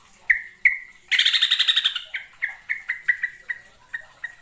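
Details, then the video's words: Yellow-vented bulbul (trucukan) from East Java, recorded as a lure: two sharp notes, a loud fast chattering rattle, then a steady series of short clipped notes repeated several times per second. "KICAU TRUCUKAN PIKAT GACOR FULL ISIAN (YELLOW-VENTED BULBUL)"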